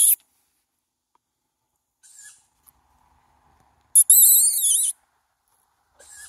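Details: Food-begging call of a young tawny owl: a long, harsh, wavering screech in the middle, framed by shorter, softer wheezy hisses.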